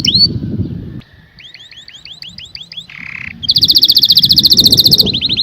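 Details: Canary song opening with a short whistle, then a series of evenly spaced down-slurred whistled notes, a brief buzzy rattle, and a fast bright trill; faint low background rumble.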